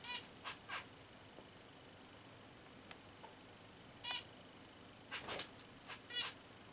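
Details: Pet female zebra finch indoors giving her "let's make a nest here" sound: short nasal, buzzy squeaks with bright stacked overtones, scattered singly and in quick pairs across the clip with quiet gaps, in a small room.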